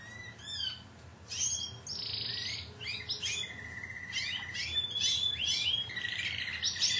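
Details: Timbrado canary song from a 2009 Greek club team: varied phrases of clear whistled notes, fast trills and long metallic rolling tours shifting from one to the next without pause.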